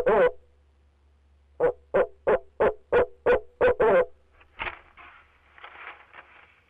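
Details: Male barred owl calling from the nest box, one hoot then a quick run of eight low hoots, followed by softer scuffling and rustling sounds.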